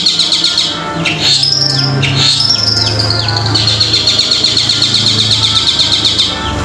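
Long-tailed shrike song: a dense, rapid chatter of high sweeping and scratchy notes, some slurred downward, over a low steady hum.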